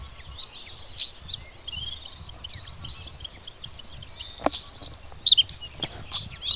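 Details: Bluethroat, known in Bengali as nilgola fidda, delivering a loud, rapid series of high ringing chirped notes repeated in quick succession, followed by a few sharp separate calls and a brief click.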